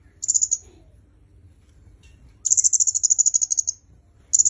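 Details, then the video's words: Very high, sharp notes in fast pulsed runs from a red-headed myzomela, used for training songbirds; a short burst, a longer run of over a second, then the start of another. "Suara Kemade Kepala Merah"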